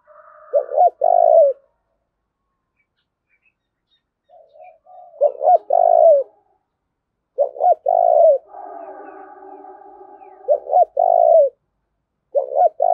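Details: A decoy spotted dove cooing to urge fighting: spaced low phrases of a stuttered double coo and a longer coo, with a raspy, buzzing sound between two of the phrases.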